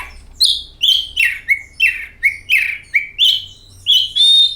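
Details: Oriental magpie-robin song meant as a lure for kacer birds: a series of about ten clear whistled notes, each sliding downward, roughly two or three a second, ending in a longer wavering whistle.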